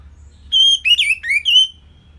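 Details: Orange-headed thrush, Singaraja, Bali, singing a short, simple phrase for songbird training: a long level whistle, then falling and rising slurred whistles, ending on a sustained high note.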